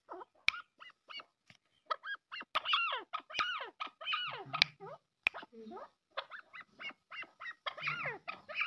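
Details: Arabian partridge, called maskati chakor, producing many brief notes in irregular clusters. Some are sharp ticks and others are longer, bending chuckles that grow denser in the middle. Faint low murmuring and clicks are also heard.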